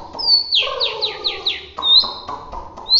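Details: White-rumped shama of Bahorok type from Medan, roll tembak singing: a high piercing whistle, then quick downward-sweeping notes over a buzzy lower tone, and further sharp, shot-like upslurred whistles.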